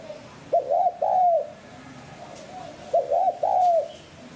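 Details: A spotted dove, recorded as a lure call to stimulate captive doves to coo, gives two soft, mellow three-note coos about two and a half seconds apart, the last note longest and falling, over faint hum.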